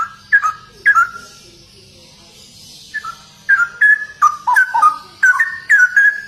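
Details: Straw-headed bulbul in energetic gacor ropel singing: two loud whistled phrases, a pause, then a rapid run of liquid, gliding warbles delivered in quick bursts of about half a second each.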